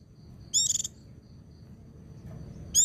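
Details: White-eye song for training birds in the ngalas and ngecir style: a brief buzzy, rattling burst of stacked high tones lasting about a third of a second, then quiet hum and another buzzy burst at the end.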